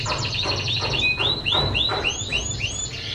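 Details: Canary singing as a training song for other birds: a chain of high slurred notes, each sweeping up and then falling away, repeated about four times a second, over a low background hum.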